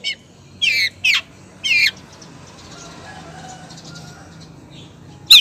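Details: Female long-tailed shrike calling to the male: three short, harsh, rasping squawks in quick succession, then a stretch of soft background hiss, and one more abrupt squawk at the very end.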